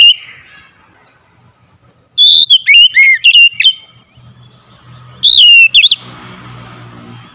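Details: Caged Oriental magpie-robin kept at home, singing after a spell of silence: loud clear whistled notes with sharp upslurs and downslurs around bursts at two and five seconds, faint low hum underneath.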